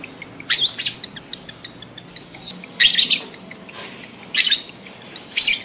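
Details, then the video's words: Lovebird calls aimed at prompting adult birds to breed: loud, shrill, rasping chirp bursts, paired, coming roughly every one to two seconds, with faint clicking between. "SUARA LOVEBIRD KAWIN 100% AMPUH LANGSUNG BIRAHI"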